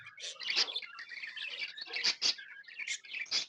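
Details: Happy budgies chirping in a lively flurry, sharp squeaky tweets and chattered notes coming in quick bursts, a few piercing high peaks standing out above the busy warble.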